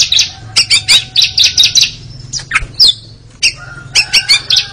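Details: Kacer (Oriental magpie-robin) therapy song for an anti-sluggish, champion-minded bird that sings ngeriwik: dense, harsh chattering bursts, a brief pause with a few squeaky notes, then more rapid scratchy chatter.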